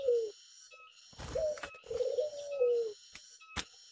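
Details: Tame Zebra dove outdoors in the open, giving a short falling coo followed by a long, low, slightly wavering coo that drops at the end, over a steady high electronic whine and brief clicks.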